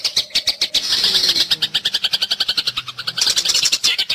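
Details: Tree sparrows fighting, the chatter serving as training material for songbirds such as magpie-robins: rapid, evenly pulsing high chirps, nearly four each second, running almost without pause, with a faint low drone partway through.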